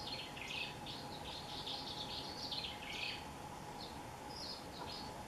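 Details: On a cloudy morning in the countryside at dawn, a swallow gives quick, scratchy twittering in bursts of high chatter through the first three seconds, then scattered brief notes, over steady broadband background hiss.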